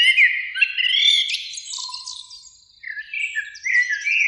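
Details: Springtime song of a Eurasian blackbird in a beech tree near a lake, evening, two birds singing; a mellow fluted phrase with high twitters, a faint low whistle, then buzzy high notes and soft warbling.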